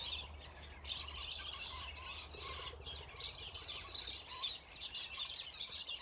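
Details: Scaly-breasted lorikeets fighting in territorial aggression, a squabble that went on for ten minutes; dense harsh screeching chatter, overlapping high rasping notes in rapid bursts, with a low steady hum beneath.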